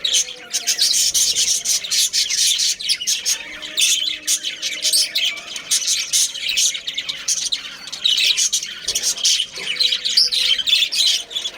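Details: Colony of budgies with breeding pairs and families: sustained chorus of high chirps, chatters and occasional harsher squawks, dense and overlapping, with brief dips in loudness.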